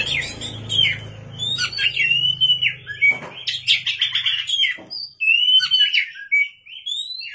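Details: Oriental magpie-robin (kacer) singing vigorously at night: clear whistled phrases near the middle of its range with sliding notes, mixed with rapid high chattering and scratchy bursts, and a faint low hum in the first three seconds.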